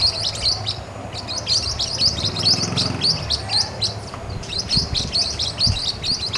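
Blue-winged parrotlets give rapid, high, buzzy chirps in a busy, overlapping chatter, likely several birds together, over low background rumble.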